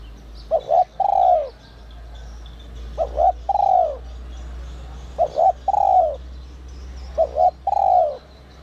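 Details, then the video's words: Spotted dove with a 'giọng còi' whistle voice, used to rouse decoy birds, repeats four phrases about every two seconds. Each is a double short coo and then a longer falling note, over a steady low-pitched hum. "Chim cu gáy GIỌNG CÒI te te kích bổi cực sung, giọng nhạy bổi kích cu gáy bổi nhanh gáy"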